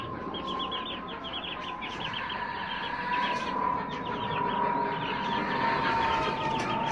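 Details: Young Aseel chicks, between 20 days and 2.5 months old, kept for sale; many quick falling cheeps run together in a steady stream over a constant mid-pitched hum and general background rumble.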